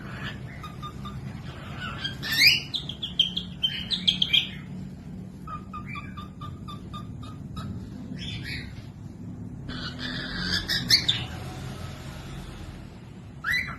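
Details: Cockatiel song used for training lazy or young birds to sing: scattered whistled notes and short harmonic chirps, rising and falling, in loose bursts separated by quieter gaps, over a low steady background hum.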